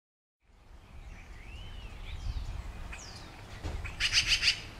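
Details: A Yellow-billed magpie in California gives its typical call: a few thin slurred whistles, then a quick burst of harsh, raspy chattering notes near the end, over a low outdoor rumble.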